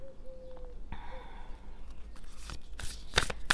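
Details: Indoor room with a short steady electronic tone, then card shuffling and rustling knocks that grow louder, with no animal sound.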